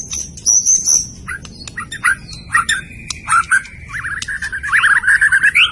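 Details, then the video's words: Singing white-rumped shama of the Medan type: thin high whistles and short clicks early on, then a long rapid warbling trill, rising at the end. "kicau burung murai batu medan"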